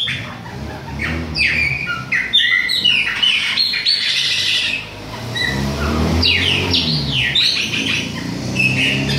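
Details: Chopi blackbird, Bahia type, autumn, young bird mentioned: fast sequence of sweeping whistles and chattering notes over a steady low rumbling background.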